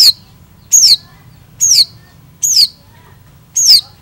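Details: Long-tailed shrike singing keenly: high, piercing, downslurred whistles repeated every second or so, five in a row.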